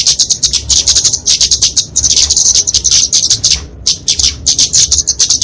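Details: Kemade flowerpecker (genus Dicaeum) giving its fighting song, used for songbird tutoring and trapping lures; rapid high-pitched chips and buzzy trills in dense phrases, one clear pause shortly before four seconds.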